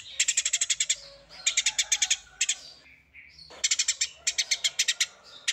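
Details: Songbird in a full tembakan masteran, a training recording for songbirds: dry, buzzy notes repeated quickly in three or four bursts, with a near-silent gap holding a faint short whistle.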